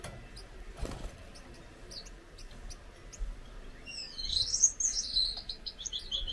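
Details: Soft scattered ticks give way to a pet Gouldian finch's high, wheezy song in the final two seconds, with thin notes sliding down in a rapid pulsed run.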